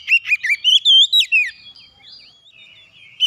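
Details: Agitated Oriental magpie-robin, provoked, giving a brief rapid run of loud, bending whistled notes from its learned repertoire. The run lasts about a second and a half, then fades into quiet.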